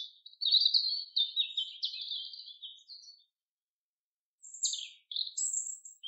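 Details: Forest common chaffinch song: a long run of high notes slipping gradually lower over about three seconds, then a pause and a few sharp, high chirps. No background noise.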